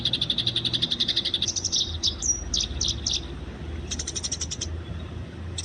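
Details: Eurasian tree sparrows in the wild, a fighting recording made for training: fast runs of bright chirps repeated about four times a second, then a brief rising whistle and sharper separate chirps before another chattering burst.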